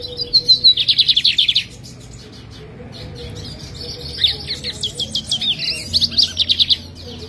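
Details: Caged lined seedeater in Jataúba, Pernambuco, Brazil, recorded on Friday, 11 November, at 3 pm, as it prepares for a morning contest. Two song bouts: a fast buzzy trill, then after a pause a longer jumbled run of sharp high notes.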